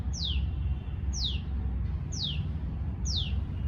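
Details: Long call of a tailorbird: four loud, clear notes falling quickly in pitch, evenly spaced about a second apart, against steady low background hum.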